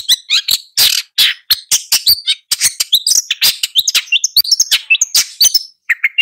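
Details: Long-tailed shrike in continuous song, a dense jumble of scratchy bursts and twisting whistled fragments with scarcely any gaps; recording otherwise clean.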